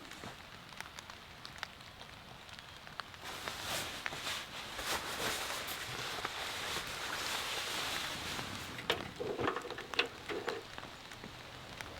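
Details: Steady rain and sleet patter on a tent, with crackling and a few sharp taps, and no animal voices.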